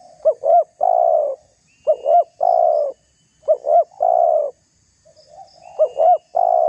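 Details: Spotted dove call meant to provoke other doves and used for luring. Four repeated phrases, each two short looping notes and then a drawn-out coo, with quiet gaps between them.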